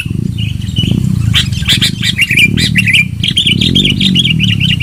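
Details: Sooty-headed bulbul lure song, loud and lively: a run of rapid warbled notes bouncing up and down, growing more continuous toward the end, over a strong low hum.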